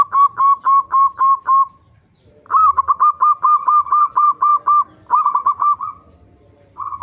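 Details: Lure song of a local zebra dove for prompting other zebra doves: fast series of bright cooing notes in several bursts, six notes, then eleven, then shorter runs with pauses between.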